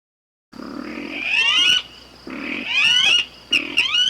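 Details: Blackish rail (Pardirallus nigricans), song.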